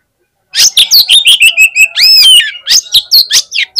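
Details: Fighter Oriental magpie-robin hanging at a bird song contest, pouring out a dense, rapid series of sharp clipped notes mixed with ringing arched whistles and downslurs, about thirteen loud pulses in under three and a half seconds.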